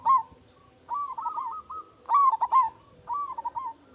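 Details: Rolling, trilled coos from a local zebra dove, a strong-voiced lure call to make other doves reply; several phrases of rapid beaded notes follow one another with brief pauses.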